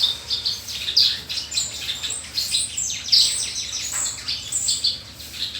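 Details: Horsfield's bush lark singing a full, varied song: dense high chirps, trills and buzzy notes crowded together without pause, with fainter overlapping twitters in the background.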